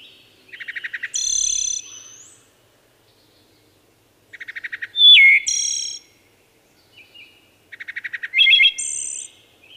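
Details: Three flutelike wood thrush song phrases about four seconds apart, each starting with rapid low stuttered notes, then clear ringing whistles and a thin, high, trilled ending, with silence between them.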